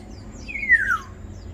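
A crested myna gives one clear whistle that slides downward over about half a second, over a faint low background hum.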